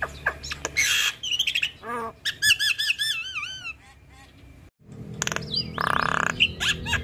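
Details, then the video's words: Female Javan myna, a caged bird, in full varied song: scratchy bursts, rapid stuttering notes and wavering whistled phrases that rise and fall, followed by a short silence and a harsh buzzy burst. "Jalak Kebo gacor Full isian Biarpun Betina Tetap rajin Ngoceh"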